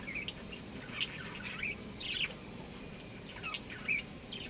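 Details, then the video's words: A breeding pair of budgerigars gives soft, scattered chirps: short, thin, whistled notes and brief squeaky twitters spaced about a second apart over low background hum. "Budgies Chirping Sounds"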